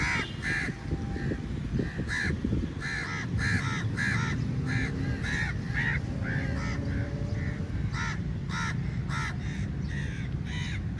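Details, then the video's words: Large crow flock at feeding time, swarming onto food: dense, continuous overlapping harsh caws from many birds through the whole stretch, over a steady low rumble of background noise. "Crow Sounds Very Loudly"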